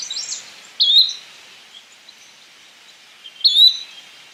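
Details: Yellow-bellied flycatcher calling twice, roughly three seconds apart: each call a short, sharp, upward-sliding whistled note, with faint chips from other birds between.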